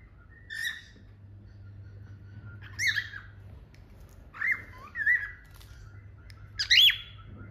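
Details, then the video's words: Pet cockatiel couple kept in India, singing: a run of rising and falling whistled notes, some doubled, spaced irregularly over several seconds above a quiet low background hum. "Beautiful cocktail with beautiful singing"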